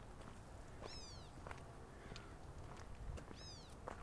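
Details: California gnatcatcher of the local subspecies Polioptila californica californica, calling from grassland during a hike in Sabre Springs, San Diego, California, on 1 August 2024. Two kitten-like mewing calls, each a high, descending slurred note, come about 2.5 seconds apart over footsteps.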